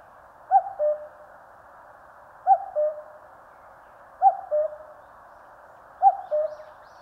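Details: A common cuckoo in the Korean mountains calls four times at steady intervals of under two seconds, each call a bright upper note falling to a softer, longer lower note.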